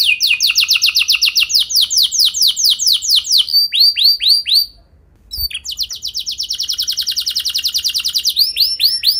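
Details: Canary performing a rich lure song meant to set other canaries singing: a long rapid trill of sliding notes, a few slurred whistles, a brief silence, then another fast even trill.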